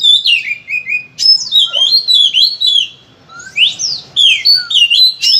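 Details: Oriental magpie-robin (kacer) singing loud, insistent gacor song packed with fill-in phrases: rapid whistled notes, sweeping slurs and buzzy chirps in quick bursts, with two short pauses, used as training song to spur other birds to sing.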